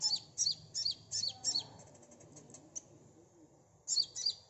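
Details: Sunbird singing, played as a quick-response lure: a run of six bright, high, falling chirps, then a stretch of soft rapid ticking notes, ending with two more loud high chirps.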